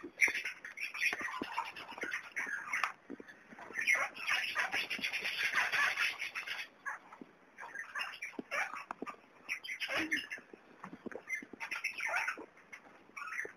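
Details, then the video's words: Young kakarikis give a busy stream of high, scratchy chatters and squeaky calls, overlapping and almost continuous, with brief lulls between bursts; Kakariki. "PETITS KAKARIKIS"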